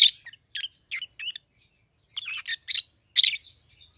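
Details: Softer, clipped chirps from two 7-8-month-old pet peach-faced lovebirds of red-headed green opaline and red-faced dark green colour form, a few spaced notes followed by a brief louder cluster.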